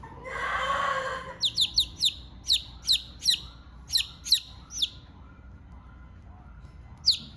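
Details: Hungry chicken chick calling its mother: a brief noisy burst, then about ten high, sharply falling peeps in quick succession, a pause of two seconds and one last peep.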